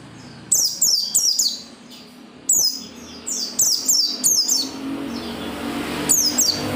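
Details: Vigorous oriental white-eye song aimed at getting other white-eyes to open their beaks and sing: rapid chains of high, falling, twittering notes in several bursts, with a steady low hum throughout.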